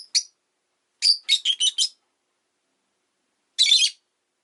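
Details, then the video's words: A rosy-faced lovebird on a calm afternoon gives shrill, high chirps: a single note, then a quick burst of five, and after a pause one harsh, buzzy squawk, with possible town noise such as engines. "Lovebird Chirping Sounds"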